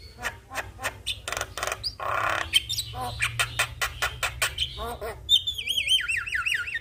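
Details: Javan myna singing and nodding, a training model for young mynas: a string of dry clicks and a rasping burst, followed by a rapid wavering whistled trill that slides downward.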